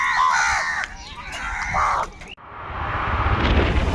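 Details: A huge flock of crows fighting for food: harsh, nasal, harmonic caws overlap for the first two seconds, then an abrupt break gives way to loud broadband rushing noise.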